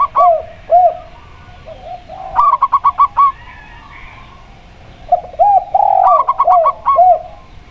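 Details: Local zebra dove and spotted dove in a recording used to make doves sing. Separate soft coos lead into a rapid burst of clipped notes, then a flowing series of arching coos.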